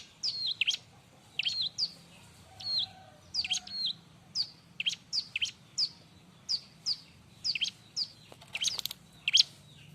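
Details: Bar-winged prinia in busy tutor song for other birds: thin, sharp, high downslurred chirps come singly and in pairs, roughly one or two a second, against a faint low hum.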